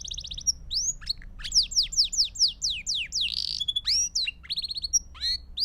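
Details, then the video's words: Belgian canary in full song, intended for training young birds: varied rapid descending swoops, rising whistles, a brief harsh buzz and quick trilled notes in a lively sequence. "Sons Para Canário Belga em Sessão Contínua"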